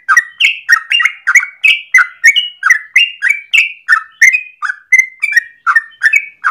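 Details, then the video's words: A yellow-vented bulbul delivers a long, fast 'ropel' song in the morning, suited as a lure or training master: roughly twenty lively gurgled notes in six seconds, pitch bouncing up and down in a cheerful chatter. "Trucukan gacor ropel panjang pagi hari"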